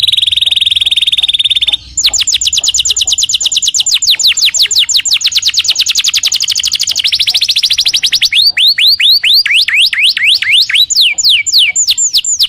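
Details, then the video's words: Canary song played as a training recording for other birds: a steady buzzy tone, then a long fast trill of rising notes, followed by spaced high downslurred whistles repeated several times a second. "Masteran burung kenari"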